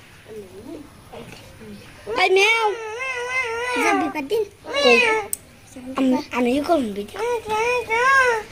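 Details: A talking parakeet from the Mirpur 1 bird market in Dhaka, Bangladesh, gives a run of nasal, wavering speech-like phrases with rising and falling pitch, some low human-like syllables, in a small room.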